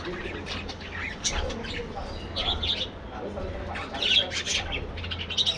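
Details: Budgerigars in a colony aviary: a dense mix of short squawks and chirps, with brighter, louder bursts around the first second and near the end, over a steady low hum.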